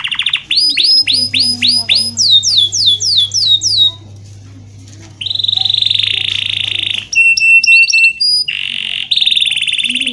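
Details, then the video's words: Canary singing, used to coach lazy canaries: rapid series of downslurred whistles, a sustained buzzy rattle, short pure whistles and another buzzy phrase, over a faint low hum. "BURUNG KENARI GACOR⁉️ Cocok UnTuk MASTERAN KENARI malas bunyi"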